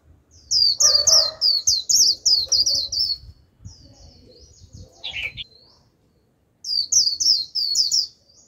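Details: Japanese white-eye used as a lure bird to draw in a wild flock: rapid high twittering phrases of quick chirps repeated several times a second, a brief pause with a lower downslurred note, then the twitter resumes.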